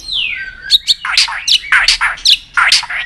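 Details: White-rumped shama song for training birds to sing: a long falling whistle followed by a series of harsh, buzzy, scratchy notes repeated about every quarter second.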